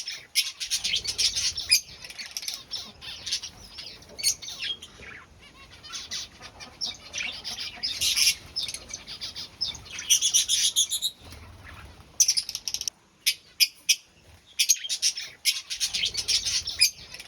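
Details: A cockatiel parent feeds its chicks in a colony breeding setup; the chicks give rapid, harsh, high-pitched begging chirrs in pulsing bursts.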